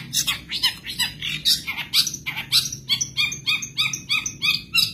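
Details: Long-tailed shrike of the Madura type, kept as a songbird, delivering a mimicry-filled tutor song; harsh, rapid chattering syllables pour out steadily, turning to evenly spaced ringing chips in the second half.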